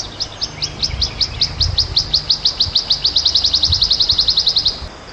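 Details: Cikrak daun, the wood warbler, in the wild. Sharp high notes repeat in a steady row that tightens and speeds up into a dense, even trill before cutting off. Low rumbling noise sits underneath.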